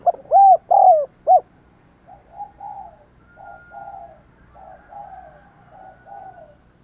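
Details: Spotted dove decoy bird with a 'đồng còi' voice, calling to stir wild doves: four loud arched coo notes open, then a softer run of level, wavering coos with a faint steady tone above.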